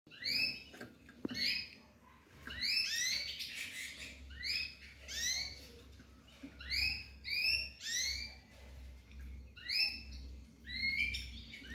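A young canary hybrid sings bright, slurred chirps, high and sweet, in bursts about once a second, over a faint low hum.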